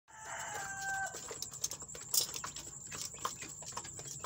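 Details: Chicks, newly added to a group and described as fighting, give a harmonic, steady call lasting about a second at the start, followed by scattered clicks, scratching and background noise.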